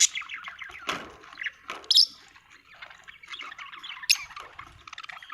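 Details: Budgie chirping and chattering steadily, punctuated by a few sharp clicks and louder squeaky notes, with soft twittering filling the gaps.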